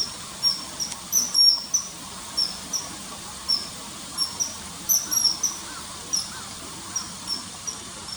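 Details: Common kingfisher, early September 2020 by a river, feeding on small fish, with inserted calls: short high 'tsee' whistles scattered irregularly, some paired, a brief burst near the start, against soft background noise.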